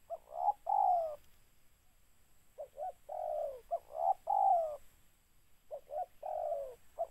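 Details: Spotted dove cooing as a trapping lure: three phrases, each a pair of short rising notes followed by a long, gently falling coo, separated by brief pauses, over a faint hiss.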